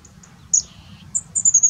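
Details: Black-necked grebe calling: a sharp high note that slides down into a thin falling whistle, followed by a run of four or five short, very high squeaky notes; faint low background rumble.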